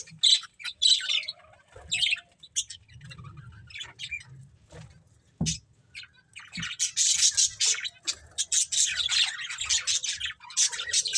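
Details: Budgerigar breeding pair with sparse, isolated chirps and squeaks at first, then a sudden switch to continuous high, rasping warbling chatter for the last few seconds.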